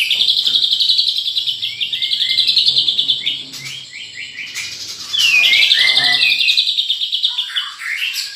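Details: Champion white-rumped shama (murai batu) singing a rich mimicked repertoire: loud high whistled phrases and rapid trilled series, a run of short descending notes mid-way, then a strong burst of warbling and a falling whistle at the end.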